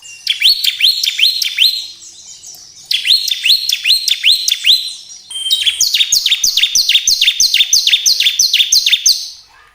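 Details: Bar-winged prinia song, played to excite caged birds into singing: long runs of rapid, high, sharply downslurred chirps, each run lasting several seconds, with only short breaks between runs.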